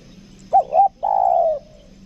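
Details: Spotted dove kept as a lure bird in Lombok, with a "kuk dua" style call: two quick bouncing notes followed by one long, slightly falling coo, all mid-low and mellow.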